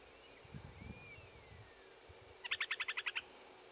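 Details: Upland sandpiper calling in regenerating jack pine after a fire on the Baraga Plains north of Watton, Michigan, on 21 June 2017: a faint drawn-out whistle, then a fast run of about nine clipped, ringing notes, over low rumbling background noise.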